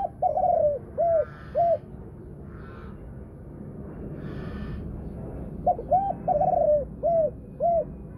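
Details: Spotted dove in the 'thunder-voice' (thổ sấm) style, a Thai-strain female with two clear final notes: two phrases of low arched coos, one near the start and one after a quiet pause, each of four or five notes.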